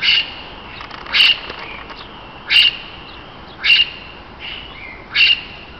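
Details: Various parakeets kept together in an aviary at the Neues Kranzler Eck in Berlin, showing social behaviour. A short, sharp chirp is repeated roughly every 1.2 seconds, five times, with faint background hum between calls.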